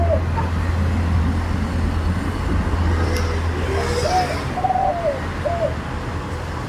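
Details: Spotted dove singing a 'khan yon' style coo with one 'kuk' note, sweet medium-pitched voice: a single phrase of three to four rounded hoots near the end, over a constant deep mechanical hum.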